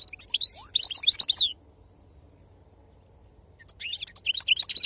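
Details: European goldfinch of authentic wild stock singing in the Serfati song style: a burst of bright, rapid twittering notes with rising and falling sweeps, a pause of about two seconds, then another chattering twittering phrase.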